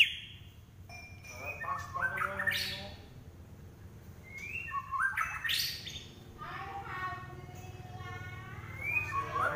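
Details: White-rumped shama singing during a fight: varied whistled phrases, rising sweeps and buzzy trills with long pauses between bursts, over a steady low hum.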